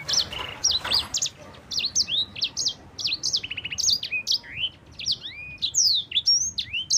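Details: Clear, rolling yellow-fronted canary song for prompting other birds: a brief low buzz opens, then strings of high sharp notes, a quick rattling trill and sweeping upward whistles.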